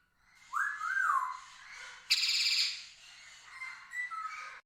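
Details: Female Indian ringneck parrot indoors, playing with her favourite toy while whistling: a rising-then-falling whistled note, a loud harsh burst, then softer whistled notes trailing off.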